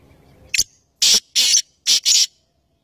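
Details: Black francolin, called kala teetar, calling harshly: a brief clipped note, then a pair of long grating notes, then another rasping pair, in a scratchy rhythmic sequence.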